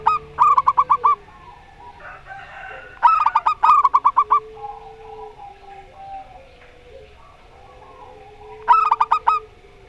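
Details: Local zebra dove with a Rondo Semoyo song, matched with a strange-voiced zebra dove: three bursts of rapid, bouncing coo notes, two close together and a third after a quiet stretch of about five seconds.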